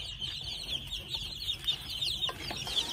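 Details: Red junglefowl chicks, two months old, peep continuously in thin, high-pitched, falling notes that overlap into a steady chattering chorus.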